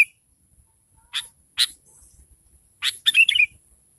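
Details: Sooty-headed bulbul lure song, used to make other bulbuls answer: a few sharp, scratchy notes spaced apart, then a quick bubbling, chattering phrase near the end.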